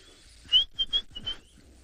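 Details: White-browed scrub robin (Cercotrichas leucophrys) singing three short, high, clear whistled notes in quick succession; early overcast, cloudy, slightly windy morning in a private game reserve, heard near a resting lioness; faint background hiss.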